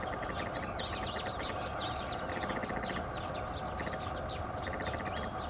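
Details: Garganey calling beside smaller teal, recorded 13 April 2019: repeated dry rattling series of rapid clicks, with teal giving high whistled notes over a steady loud background hiss.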